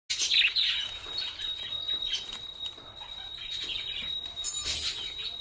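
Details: Two budgerigars, just brought home, chatter with busy, high warbling chirps and scratchy notes, overlaid by a steady electronic whine.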